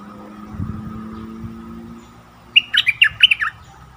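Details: Decoy bulbul used in the forest to draw in wild birds, 8 August 2021. Low rumbling comes first, then a quick phrase of about eight bright, chirped notes in the final second and a half.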